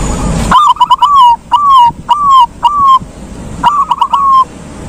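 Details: Silver zebra dove in ngalung song style, a bird said to get reluctant doves answering: a long sequence of loud stuttered coos and drawn-out level notes repeated several times, with a quiet background.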